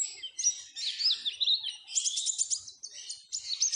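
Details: Oriental white-eye singing, played to stimulate caged birds: a quick, jumbled warble of high slurred notes followed by a burst of crisp, rapidly repeated chirps.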